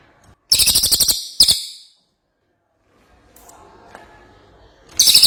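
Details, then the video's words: Ashy tailorbird in energetic song, giving a loud fast rattle of piercing high notes, a short second burst, a pause with faint background sound, then the rapid series starting again. "Cililin Gacor"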